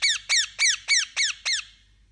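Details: Parakeet producing six quick, shrill chirps, each sliding downward in pitch, in a tight regular series that ends in quiet.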